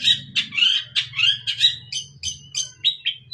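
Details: Long-tailed shrike singing eagerly in a full 'isian' style, packed with varied fill phrases: rapid, scratchy, chattering notes repeat about every third of a second. A steady low hum runs underneath.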